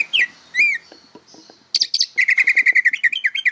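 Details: Greater green leafbird, a juvenile practising song, gives two arched whistles, a pause, sharp notes, then a fast steady series of about fifteen repeated chips.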